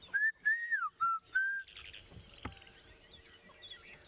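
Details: A Black-crowned Tchagra, unseen within a mixed bird party by a drop into a river system on an African safari at sunrise, gives four clear, slurred, slightly falling whistles over about 1.5 s, not its full call; other birds chatter softly afterwards, one knock.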